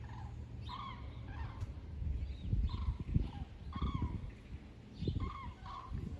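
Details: Common cranes among thousands migrating south in a broad front over the Wetterau in Hesse, seen from Bad Nauheim on 22 October 2022; loud trumpeting, harmonic calls in short bursts, several birds overlapping, over heavy low wind rumble.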